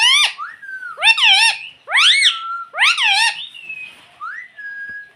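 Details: Talking pet ring-necked parrot repeating "mummy": four loud, bright, arched harmonic syllables about once a second, followed by softer flat whistled notes in a quiet room.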